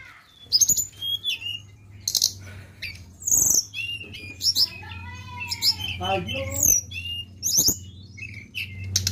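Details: Lure recording of a flowerpecker: rapid high chirps, thin downslurred whistles and trills packed closely together, with brief clicks and a steady low hum underneath.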